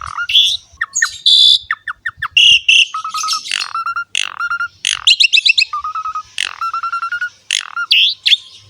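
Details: Asian pied starling in full, fill-rich 'gacor' song used as a training lure for young birds: steady whistled notes alternate with harsh chattering squawks and short chips.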